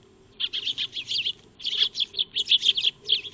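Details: Eurasian tree sparrows, or Maya birds, feeding in a backyard on 2 March 2025, recorded by a solar wildlife camera: busy overlapping chirps and chatter from several birds in two bursts.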